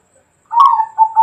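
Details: Bangkok-type zebra dove (perkutut bangkok), 2020, giving a short cooing burst: a strong first note, then a mellow falling coo with bubbling trilled notes close behind, against silence.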